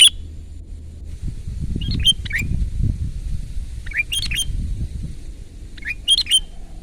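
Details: Sooty-headed bulbul giving loud, lively 'gacor' song, recorded as a lure and tutor for birds: short bubbly whistled phrases of quick up-and-down notes at roughly two-second intervals, three bursts, over a steady low rumbling background noise.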